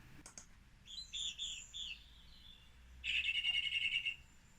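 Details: Song Thrush singing, a recording used for British birdsong identification: a sharp high note, then a short phrase repeated three times, and a rapid rattling trill near the end, all clear and fairly close.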